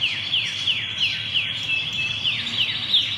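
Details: Canary with a distinctive song: high, rapid downslurred chirps repeating steadily, broken by a couple of brief flat whistled notes before the fast descending series resumes.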